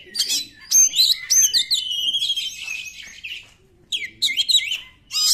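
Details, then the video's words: Oriental magpie-robin 'nembak' song, used to get quiet magpie-robins singing: phrases of sliding high whistles and quick chatter, a short silence, then the song resumes. "KACER NEMBAK, UNTUK PANCINGAN KACER YANG TIDAK GACOR"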